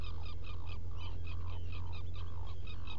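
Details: Black guillemot in a burrow at Seal Island NWR, Maine, 18 June 2018 near sunrise; fast slurred notes tumbling out roughly three or four per second over constant low hum.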